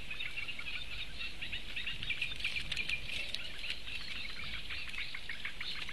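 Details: Live broadcast of four Eurasian bittern chicks begging for food, 16 May 2017. Uneven ticking chatter, close to three notes a second, with a few thin whistles mid-way and soft background hiss.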